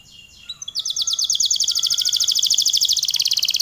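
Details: Canary singing a long, energetic gacor song: a brief high introduction, then a loud, rapid rolling trill of evenly repeated bright notes that holds steady for about three seconds.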